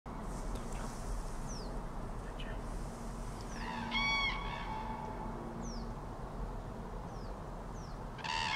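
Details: Common cranes calling in autumn 2023: two brief, loud, rolling trumpeting notes, one mid-clip and one at the end, over a steady low rumble, with thin, high, downslurred whistles from small birds scattered throughout.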